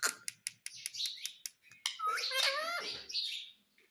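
A ringneck parrot gives a quick run of sharp clicks and chirps, then a warbling, human-like word that sounds like "mummy", indoors.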